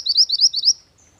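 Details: A mantenan gunung bird's lure and master song: a fast chain of around seven high, bright, upward-slurred notes, ending in a fading thin whistle.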